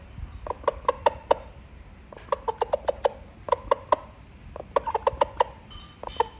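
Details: A rooster summoning hens, giving quick series of short, clipped clucks in irregular bunches of three to six with short gaps, over a faint background hiss.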